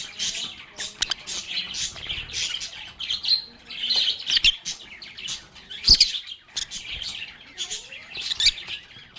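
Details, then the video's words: A group of lovebirds chatting and chirping together: dense high warbling chatter broken by sharp clicks and louder squeaky notes, with a thin sliding whistle near the end. "Lovebirds agapornis sounds | Relaxing Sounds of Singing, Playing, and Talking Parakeets"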